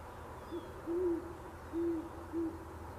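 A great horned owl gives a deep, soft series of four hoots: a brief note, two longer drawn-out ones, then a short closing hoot, over a quiet background.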